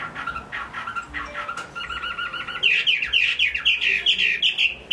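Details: Hwamei kept in a cage in Hai Phong, Vietnam, in good voice: low clipped notes, a fast looping trill, then a bright series of high, repeated, upward-flicking phrases.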